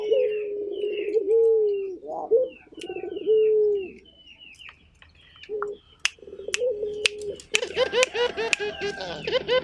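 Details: Actively calling turtle dove giving long steady low coos and trilled coo phrases, ending in a dense burst of overlapping coos, while small birds chirp high above and sharp clicks sound.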